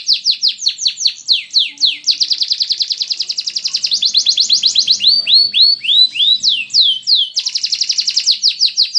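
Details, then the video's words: Caged canary on parallel perches meant to keep the bird calm during singing contests in Indonesia; sustained bright song of fast repeated downward-sweeping whistles breaking into dense trills, several phrases in a row with no other sounds. "Kicau Anteng Kenari"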